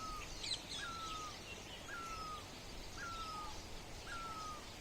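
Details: Sunrise birdsong near Dharamshala, one bird repeating a clear whistled note that glides gently down, roughly every second, with soft higher twittering from other birds behind a steady outdoor hiss.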